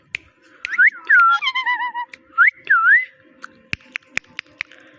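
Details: Talking parrot saying "Mitthu Mitthu" in a sweet, whistle-like voice. Loud rising-then-falling tonal syllables come in two bursts, with a wavering lower note between them, followed by a series of sharp clicks and taps.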